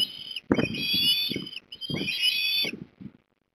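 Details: At a nest in Port Lincoln, Australia, on 3 December 2021, an osprey family gives two long, high whistled calls, each about a second long, thin and slightly rising, separated by a short gap, over soft knocking sounds.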